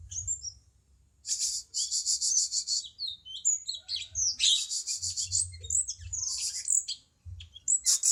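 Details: Cucak cungkok (bulbul) song used as a training model for songbirds: dense bursts of high, rapid chattering and trilled notes in fast succession, with short pauses and a low background hum.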